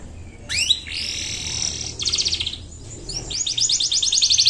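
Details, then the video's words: Canary singing energetic 'gacor' song, used as a lure to prompt lazy or young birds to sing: downward whistled sweeps, a steady high note, then rapid buzzy trills repeated in quick pulses, with a brief pause between phrases. "PANCINGAN KENARI GACOR, EFEKTIF UNTUK PANCINGAN BURUNG MALAS BUNYI, DAN BURUNG PAUD BELAJAR BUNYI"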